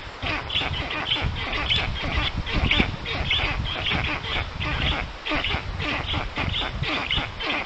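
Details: Black stork (Ciconia nigra) nest in Puszcza Notecka forest, Poland, 13 June 2019, afternoon, as a strange stork visits the young. Hoarse, hissing bursts come in a rapid, steady series for several seconds, over a low background rumble.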